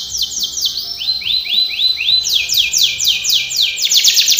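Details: Canary singing a training song, steady stream of high downward-sweeping notes, first quick, then slower looping slurs, then quickening into a dense trill at the end.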